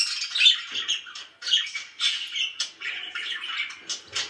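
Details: Contented pet budgies chirp and squawk quickly, bright grating notes pouring out in short clusters roughly every half second, indoors.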